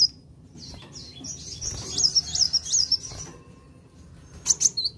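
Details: Van Hasselt's sunbird, singing to excite other birds: a rolling, high warbled phrase of closely run thin notes lasting over a second, followed after a pause by two sharp high chirps and a short slurred whistle.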